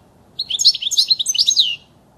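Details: European goldfinch singing a clean original song meant for teaching young birds: a rapid, high-pitched tinkling twitter of jumbled chirps and trills lasting about a second and a half, with no other sounds.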